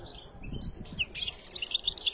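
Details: Canary singing: after a quiet start, a quick run of sharp, high chirped notes in a rapid, uneven series fills the second half, with faint background hiss.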